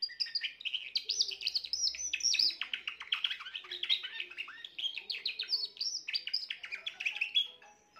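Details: Young Spanish Timbrado canary from this year, 14 June 2023, singing loudly and continuously: rapid rolling trills and bright chirped phrases in an unbroken eight-second stream, with brief voices in the background.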